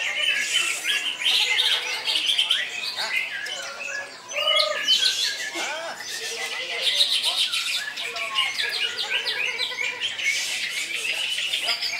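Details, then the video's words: Greater green leafbird singing koncer, loud and continuous: rapid chattering trills and high chirps, with lower whistled notes scattered between them and a brief dip in volume around the middle. "Cucak Ijo"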